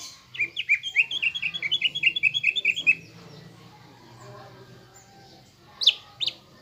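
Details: Greater green leafbird kept in a cage, lure song used to make another bird aggressive: dense fast chatter of bright warbled whistles for about two and a half seconds, then near silence and two sharp high notes.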